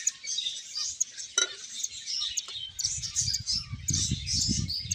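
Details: High finch chirps and twitters run throughout, joined by a sharp click near the start and soft low rattling and tapping in the second half.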